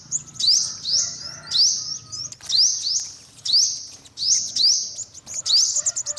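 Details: Olive-backed sunbird repeating high, thin upslurred calls about every second, steady and evenly spaced, with faint lower whistles behind.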